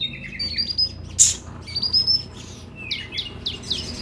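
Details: Brown-throated sunbird (konin) chirping, used as a lure to get newly bought caged birds singing: sharp high whistled notes and quick downslurred chirps in short bursts, quiet low hum behind.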